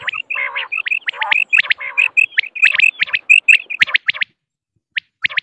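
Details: A female common quail gives rapid high chirps with a short whistled note between them, mixed with a few nasal, buzzy notes, before stopping in near silence.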